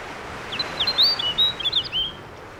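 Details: Snow bunting male on its breeding territory, Grimsey Island off northern Iceland, summer: a bright warbling phrase of sharp whistled notes and rapid up-and-down slurs, loudest mid-phrase, against constant outdoor noise, possibly surf.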